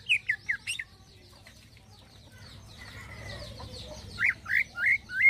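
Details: Greater green leafbird singing its 'isian halus' soft fill-in song: a few quick, sharp whistled slurs, a quieter stretch of faint warbling with rising background noise, then four loud rising-and-falling whistles.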